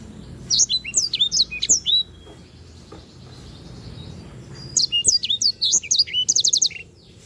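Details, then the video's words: Canary song intended as a tutor recording for other birds: two bursts of rapid, high, swooping whistles separated by a few seconds of near silence, the second ending in a quick, evenly spaced trill. "sanger gacor"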